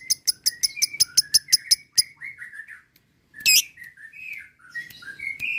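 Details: Lovebird, played as a lure to make lovebirds chatter; a quick burst of sharp chirps gives way to softer warbling, twittering notes and a single loud harsh squeak.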